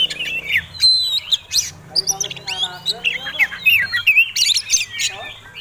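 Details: Oriental magpie-robin giving its provoking fighting song while displaying: fast run of sweet whistles, rising and falling slurs and scratchy chirps, continuous throughout, with soft low droning in the background.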